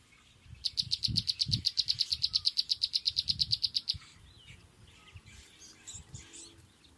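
A sunbird gives a fast run of high, thin chipping notes, about eight a second for three seconds, over low wind rumble and faint background chirps.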